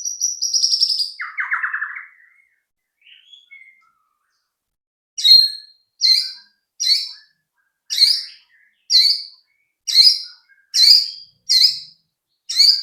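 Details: White-rumped shama singing as a lure for other shamas: a short burst of high whistled and buzzy notes. After a pause come sharp high chip notes, repeated roughly every second.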